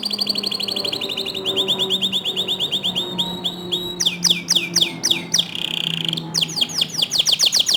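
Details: Canary song from a master recording kept to spur other canaries into singing: rapid high trills, each rattling series of repeated notes shifting pitch, with sharp downslurred notes later and a steady low hum underneath.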